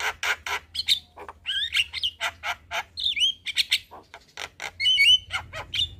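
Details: Black-winged starling evening song used to teach young birds: harsh chatters alternating with bright rising and falling whistles and looping slurred phrases, delivered in rapid uneven bursts over a low hum.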